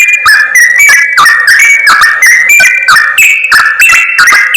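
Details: Yellow-vented bulbul lure recording meant to draw wild birds close for trapping: loud, dense chattering of bright whistled notes stepping between two pitches, with sharp clicks, several phrases each second and no pause.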